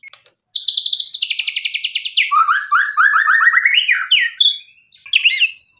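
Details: Singing white-rumped shama, a gacor murai batu meant to stir other shamas, gives a long fast high trill that drops into lower pulsed rattles, rising whistles, and a final ringing note.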